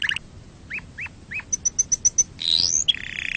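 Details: Canary song opening with sharp chirps and a run of evenly spaced high pips, followed by a rising whistled sweep and a fast buzzy trill.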